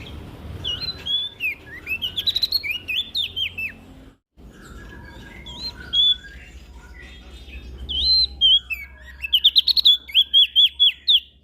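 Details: Lively song of an olive-backed tailorbird from West Nusa Tenggara, played to encourage lazy birds to sing: bursts of shrill chirped and slurred notes, then a break and a rapid run of evenly repeated sharp notes, over a low background hum.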